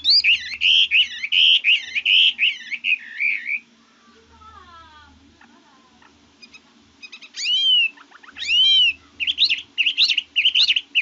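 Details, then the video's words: Red-whiskered bulbul singing: a burst of rapid, rolling whistled phrases, a pause filled with softer murmuring sounds, then sharp upslurred whistles and more quick warbled notes. "Chú mi cực hay, đảo giọng hót tốt hót rất đẳng cấp"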